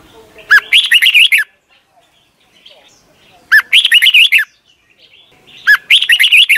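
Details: Red-whiskered bulbul in Thailand singing for caged youngsters to learn: three brief phrases of quick chirpy, slurred whistled notes with quiet gaps between them.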